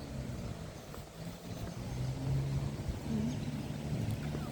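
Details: Steady low traffic rumble and hum fill the background, with no clear animal voice above it.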